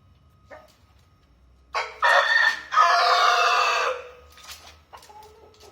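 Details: Rooster crowing: a loud, harsh, drawn-out crow of two broken parts lasting about two seconds, with a falling end, framed by short faint clucks before and after.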